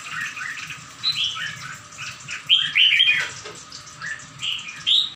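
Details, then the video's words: Bird singing in rapid chirpy, warbling phrases, strongest between two and a half and three and a half seconds, with further bright notes near the end over a faint constant background hum. "Chim hót"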